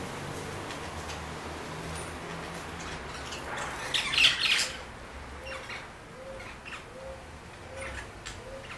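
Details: Parakeets on a daily visit give a short burst of sharp, shrill squawks midway through, followed by soft low notes repeated under a steady outdoor hiss.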